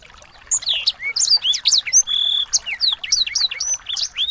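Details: Recording of small birds for tutoring a white-rumped shama: after a quiet start, a lively stream of high slurred whistles, short chips and a few steady held tones runs on continuously.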